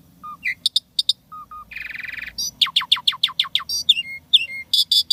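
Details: Energetic Asian pied starling song with unique sounds: low whistles, sharp ticks, a buzzing rattle, a rapid series of descending chirps, and dropping whistled notes.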